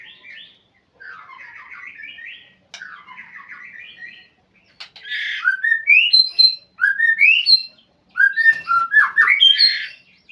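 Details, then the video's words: Caged white-rumped shama calling to a rival: soft buzzy chatter at first, then louder clear whistles that sweep upward, delivered in separate bursts with short gaps between them. "murai memanggil lawan"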